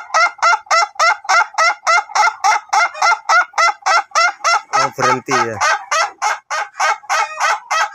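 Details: Ayam Ketawa chicken of the duration type, trained to crow long; an unbroken series of over two dozen sharp, evenly spaced laughing syllables, with a brief human voice overlapping midway.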